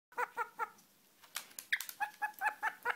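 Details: Black-headed caique laughing: a burst of quick, harmonic, hoarse 'ha' notes, three evenly spaced, then a short gap and a livelier run of about seven rhythmic chuckling notes.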